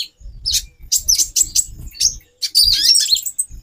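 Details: A caged female brown-throated sunbird gives calls used to excite a male for mating: scattered shrill chips and brief twittering runs, with repeated low thumping sounds.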